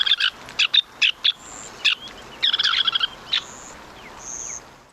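Semipalmated Sandpiper giving short, husky chrk notes in quick bursts, with one rapid chattering run, lower than a Western Sandpiper's call. Thin high whistles sound faintly behind.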